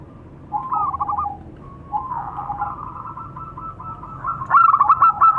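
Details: Male and female local zebra doves in Indonesia calling back and forth: drawn-out, soft cooing trills overlap and run together, ending in a louder, rapid string of rolling cooing notes.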